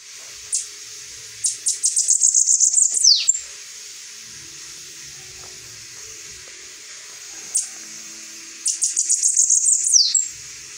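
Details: Saffron finch singing, two bursts of high, thin notes: a few single chips, then a fast run of repeated buzzy notes ending in a quick downward sweep; quiet pause between bursts, faint low background sounds.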